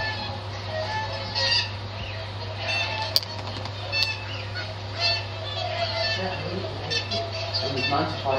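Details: Whooper swans giving overlapping nasal honking calls throughout, with a steady low hum underneath and a couple of sharp clicks.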